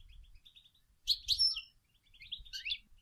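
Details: Female European goldfinch singing and calling to stimulate males to sing: bright high twittering phrases with buzzy, tinkling notes in two bursts, softer chirps between, faint low rumble beneath.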